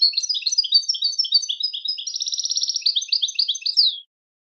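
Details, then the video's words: European goldfinch in full song, used as training material: lively jumbled twitters, a fast buzzy trill in the middle, then more tinkling notes ending in a downslurred note, about four seconds without pause. "Switty goldfinch singing training your goldfinch to sing on command"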